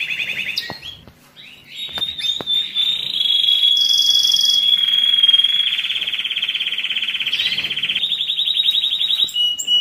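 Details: Canary song for stimulating males and readying females for mating: opening chirps, a long clear whistled tone, a high buzzy burst, then an extended fast rolling trill.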